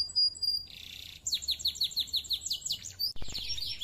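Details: Canary song that opens with a steady high whistle and a buzzy note, then a series of evenly spaced down-slurred whistles, about three per second, followed by a brief click and more rapid trilling.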